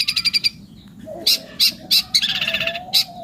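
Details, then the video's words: Long-tailed shrike singing vigorously in a varied rush of high notes: rapid ticking series, sharp separate chips, then a fast rattling trill, with a steady low hum underneath. "cendet pastol super mewah"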